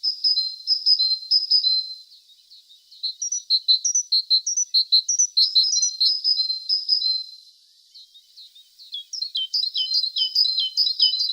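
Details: Singing tit: a thin, high trill, then a pause, then rhythmic repeated chirps, another quiet gap, and finally a fast run of sharp downslurred notes.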